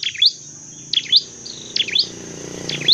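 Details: Dark-necked tailorbird, a bird kept for training and trapping, gives four sharp, bright chirping phrases, each a quick dropping-then-rising double note, spaced about a second apart over a steady high hiss.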